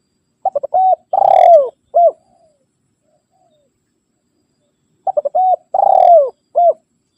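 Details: Spotted dove calling to rivals, a call used to lure wild birds: two soft, low cooing phrases about four seconds apart, each a few short coos and one longer falling coo.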